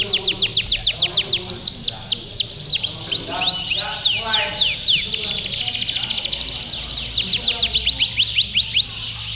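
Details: Male domestic canaries singing continuously (ngedur) at a canary song contest in Pondok Cabe, Indonesia, on a Sunday in February 2016: rapid repeated downward-sweeping notes in fast trills, changing tempo through the phrase, with faint crowd noise below.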